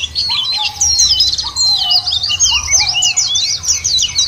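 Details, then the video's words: White-eye song used to coax other birds into singing: shrill, rapid, zigzagging twitters pour out nonstop while a lower, sliding whistle repeats about every half second underneath. "puter ini jangankan pleci burung lain aja pada gacor"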